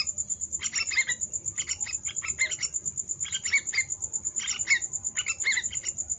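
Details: Young yellow-vented bulbul producing clustered bursts of harsh chirps with brief sweet notes, roughly one burst a second, over a continuous high-pitched pulsing whine.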